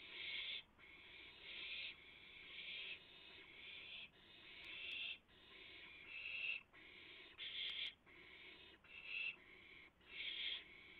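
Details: Owls at a nest at 3:38 AM on April 7, 2016, when a rabbit is delivered and three owls take turns eating. Harsh, breathy hissing bursts of about half a second to a second, repeated roughly every second, with constant faint background hum.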